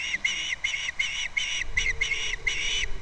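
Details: February 2nd at an osprey nest on Captiva, from a live nest camera: an evenly spaced series of about eight sharp whistled chirps over three seconds, each note slightly upslurred. Faint background hum.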